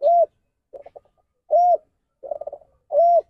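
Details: Spotted dove producing the ndanglong variant, considered a faulty departure from the proper call: three loud arched hoots each followed by a rapid stuttering burst of low pulses, in a clean quiet setting.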